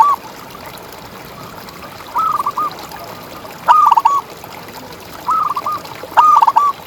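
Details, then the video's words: Zebra dove (perkutut) contest bird, recorded to stimulate quiet or stressed doves; stuttered cooing phrases of rapid short notes, several in quick succession, at a steady pitch over faint hiss. "Perkutut Juara Gacor Ngalas"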